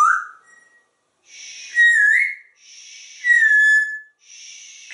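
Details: Pet African grey parrot, living in a home in Texas and hatched in June 1997, whistling a song with its owner: clear, tonal notes that slide and waver upward, with short pauses between phrases, indoors.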